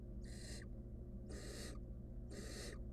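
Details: Nestling barn owl, wild, at a monitored nest box, struggling alone with a stolen rodent; three loud, rasping snore-like hisses, roughly one per second, over a steady low hum.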